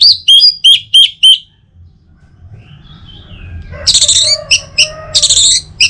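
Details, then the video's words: Orange-headed thrush song as a morning stimulus for other birds. Five crisp repeated two-note whistles, a quiet gap with soft hum, then a burst of loud, rich chattering phrases. "Saatnya Buat ANIS MERAH NGEPLONG Gacor dirumah. Pancing dengan suara burung ini baik pagi hari."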